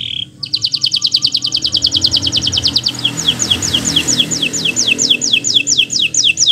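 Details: Local green canary in bottle-green plumage, singing a master song for young birds learning to sing: a brief high note, then long rapid trills of repeated high chirps, each note slightly descending, steady and bright, faint low hum beneath.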